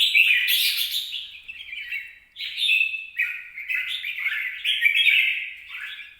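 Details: A red-whiskered bulbul sings on 26 April 2022: bubbling, high warbled phrases with quick pitch jumps, a brief lull after two seconds, then renewed chattering.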